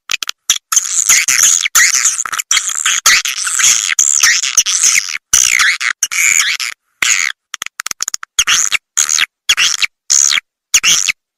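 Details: Swiftlet-house attraction sound of edible-nest swiftlets: continuous high, chattering twitter broken by frequent short gaps, with fainter clicks.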